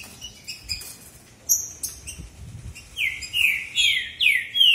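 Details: Contest between two male green-winged saltators: faint high notes at first, then a quick string of loud descending whistles in the final two seconds.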